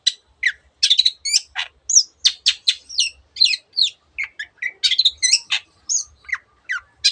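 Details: Long-tailed shrike in full, lively song, packed with imitations of other birds' voices: a fast, varied string of sharp high chirps, whistled slurs and short buzzy bursts, with brief gaps between notes and a faint low thump underneath.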